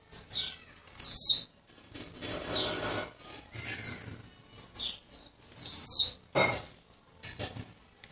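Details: Blue-black grassquit, a young bird from Jacarepaguá in Rio de Janeiro that arrived the day before, uttering repeated high buzzy descending notes in short bursts, with some broadband rustling noise between.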